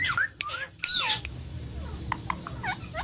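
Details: Talking parrot: squawky, speech-like vocal sounds with sliding tonal notes, followed by a series of short squeaky chirps, over a noisy background.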